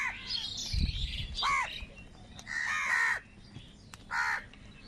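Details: Crows, in a recording said to show crows fighting for food, give harsh caws with rich harmonics, several drawn-out calls spaced about a second apart, over a faint low hum.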